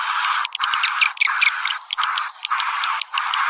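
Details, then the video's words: Swiftlet calling sound, a piezo-speaker lure version: dense buzzy, chirping twitter in bursts of about half a second separated by short gaps, repeated in loop-like blocks. "Suara Panggil Walet"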